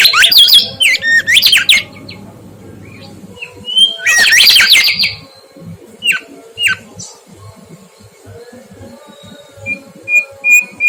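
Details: Lively mangrove whistler song used as a tutor recording for cage birds: a rapid run of loud high slurred whistles opens, a harsh buzzy burst follows, then spaced sharp whistled notes and faint thin tones over a low background hum.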